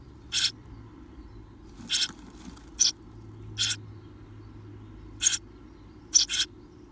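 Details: Eurasian tree sparrow chicks, 17 days old and about to fledge, getting along together, give harsh, hissing chirps in short bursts, about six in seven seconds, some doubled, over a faint low hum.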